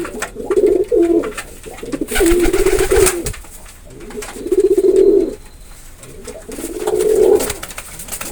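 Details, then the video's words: Pigeon giving low, throaty, rolling coos in four separate bouts about two seconds apart, each a warbling burr lasting around a second, with faint background rustling between them. "Pigeon Sound effect"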